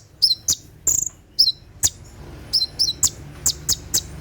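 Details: Olive-backed sunbird, called konin, delivering its night 'tembakan' song for training captive birds: bright high chirps and short slurred trills at an uneven pace, around fifty notes a minute.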